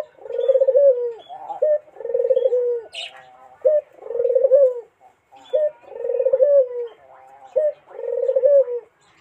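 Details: Barbary dove singing to coax a rival: a steady series of low, rolling, vibrating coos, each closed by a short rising note, repeated about every two seconds in a clean recording.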